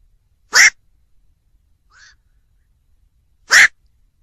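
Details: Black-crowned night heron uttering two loud, abrupt, hoarse squawks three seconds apart, with a faint brief note in between; otherwise quiet background.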